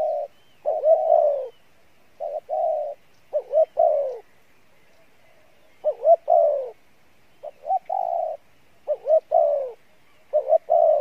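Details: Spotted dove giving Pha Bài Lối style cooing: paired upswept notes leading into drawn-out falling coos, phrases spaced roughly every one to two seconds, clean and quiet surroundings.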